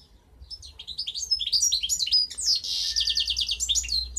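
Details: Song of a goldfinch hybrid bred in 2015: rapid liquid twitters and sharp upslurred notes running into a long buzzy rattling trill, then more quick chirps.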